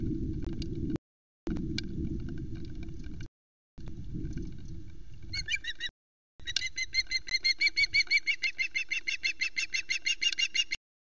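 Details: At the Loch Arkaig nest, a female osprey arrives after a long perch on a pole tree and calls as usual. Rumbling noise first, then a long run of piercing, evenly spaced chirps, roughly three per second.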